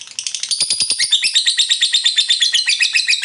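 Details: Lovebird ngekek: a few separate sharp chirps open into a dense, rapid, buzzing chatter of high squeaky notes that rolls on without a break.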